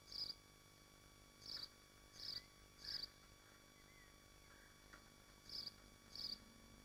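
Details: Nest of swifts in Machynlleth in the Dyfi Biosphere: a run of four high screeching bursts about two-thirds of a second apart, a quiet gap, then two more, with low hum beneath.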